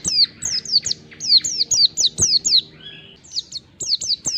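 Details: Wild Oriental white-eye song used as a lure to draw responses from other white-eyes: a fast run of high, sharply down-slurred chirps, each falling steeply, with a short pause near the middle before the notes resume.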